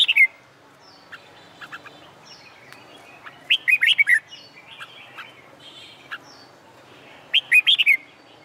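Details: Red-whiskered bulbul singing on a hot summer day as training for song contests; quick, lively warbled phrases with rising and falling notes, repeated at uneven intervals, softer scattered chirps in the background.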